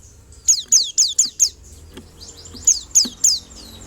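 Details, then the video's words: White-eye song: a quick run of five bright, high, sharply falling chirps, a short pause, then three more similar downslurred notes. Softer twittering sits between the louder notes. "PLECI APAPUN LANGSUNG NYAUT !! LANGSUNG BUKPAR DEGAR SUARA PLECI INI"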